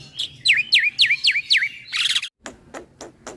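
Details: Black-winged myna (jalak putih) singing in a continuous rolling style with head bobbing, said to provoke other starlings: five loud down-slurred whistles in quick succession, a harsh burst, then sharp clicks.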